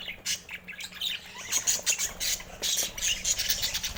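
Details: A group of budgerigars giving busy, scratchy squawks and sharp high chirps in rapid irregular bursts, several birds calling at once.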